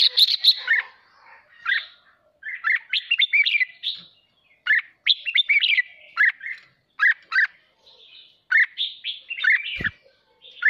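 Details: Caged red-whiskered bulbul, agitated and fired up, singing in the chattering 'hót ché' style used to stir other birds to sing: bursts of bright warbled, slurred notes in short phrases with brief pauses, plus a faint low thump near the end.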